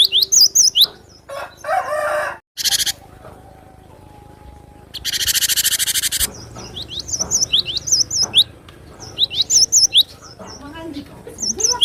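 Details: Cinereous tit song, presented as provoking and tutoring other birds: quick series of high, slurred whistled notes repeated several times, broken by loud bursts of hissing broadband noise, with quieter chirps in between.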